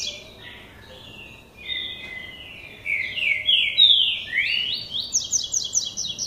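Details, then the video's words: Young male lined seedeater in classic song style starting to sing, building from soft notes into loud slurred sweeping phrases and ending with a quick run of repeated high sharp notes. "Coleiro Tui Tui Classico (Polegato) começando cantar"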